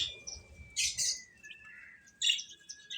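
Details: A few eating chicks give loud shrill peeps in two short bursts, separated by a long thin whistled note that slides slightly downward.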